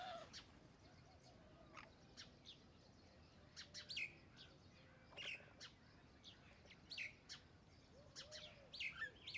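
A common myna gives scattered sharp chirps and a few bright whistled notes at irregular intervals, over a faint low hum.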